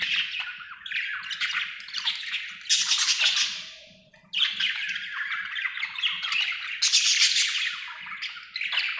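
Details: Cheerful budgie giving rapid scratchy chatter and harsh squawky chirps in bursts, a brief pause near the fourth second, then lively warbling resumes.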